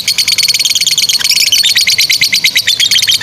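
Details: Lovebird chattering in the long ngekek style for training young birds; a tight burst of sharp, high, evenly spaced clicks and squeaks, with a thin whistled tone threading through.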